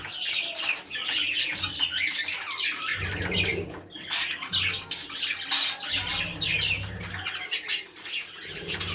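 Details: Budgerigars in a loving, breeding mood chatter in a dense stream of high, scratchy warbles and squawks.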